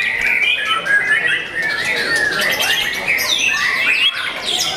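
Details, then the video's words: White-rumped shama, a young competition-class caged bird, singing a dense torrent of chattering, buzzy and whistled notes, continuous with no pauses. "MURAI BATU PRESTIS SI MURAI MUDA YANG SPESIAL!!!"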